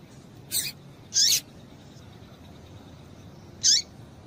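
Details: Female double-collared seedeater calling to stimulate males: three brief, high, harsh chips with a descending tail, two close together near the start and one alone after a long pause, over a faint steady hiss.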